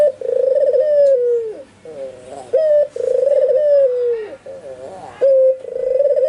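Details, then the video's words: Albino white ringneck dove calling actively, with nearby spotted doves and zebra doves said to answer; a sharp short note opens each deep, wavering, purring coo that slides downward at the end, repeated roughly every two to three seconds. "SUARA BURUNG PUTER PUTIH ALBINO FULL GACOR - Sekali bunyi tekukur perkutut disekitarnya ikut nyaut"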